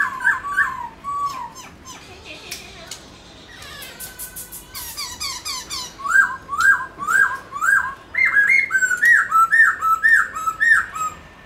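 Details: Black-throated laughingthrush in display song, meant to stir pet birds into singing: a few slurred whistles, a burst of dry rattling clicks, then a fast run of loud, repeated up-and-down whistled notes.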